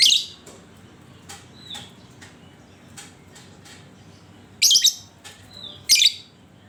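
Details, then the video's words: Lure recording of a lovebird meant to draw song from other lovebirds: a harsh high burst at the start, scattered soft clicks and thin whistles, then two more loud raspy chatters about a second apart. "Panciangan Burung Lovebird"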